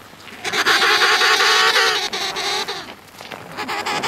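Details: Emperor penguin on sea ice between Cape Evans and Cape Royds giving a loud, rich, harmonic call lasting about two seconds, wavering slightly in pitch, followed by quieter broken notes and faint wind.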